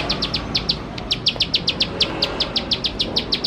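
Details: Ciblek sawah, the Bar-winged prinia, in lively 'nembak nembak' song used to draw prinias into singing quickly: crisp, high, clipped notes repeated roughly five times a second in an even series, one brief break near the start, faint hiss underneath.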